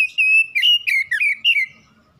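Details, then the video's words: Home-kept oriental magpie-robin singing a lure song meant to trigger other birds to sing: loud clear whistled notes, a long steady whistle, then quick slurred phrases dipping and rising, fading into quiet. "PANCINGAN CEPAT PAGI SIANG MALAM KACER RUMAHAN CEPAT GACOR"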